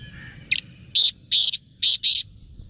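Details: Black partridge of the pure Chinga line, a trained hunting decoy bird: a short sharp note, then four loud harsh rasping bursts in a quick uneven series, against faint background birds.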